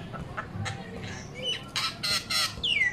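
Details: A myna that mimics human speech ("good morning", "I love you") gives soft chatter, then three harsh, scratchy bursts about a third of a second apart, ending in a squeaky whistle that slides down.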